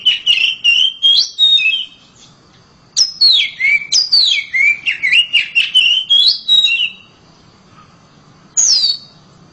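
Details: Loud song from a home-kept oriental magpie-robin: rapid bursts of varied whistled notes, rising and falling slurs in quick succession, a pause, then another long varied phrase and a final high descending note.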